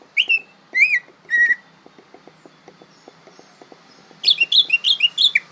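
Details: Young greater green leafbird learning to sing: three separate slurred whistles, a quiet pause with faint clicking, then a quick string of short, bouncing whistled notes.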